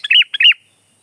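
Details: Sooty-headed bulbul song, described as a lively singer for tutoring and luring birds: two quick bubbly phrases, each a short chip followed by a rounded, warbling whistled note, clean and close with no background sounds.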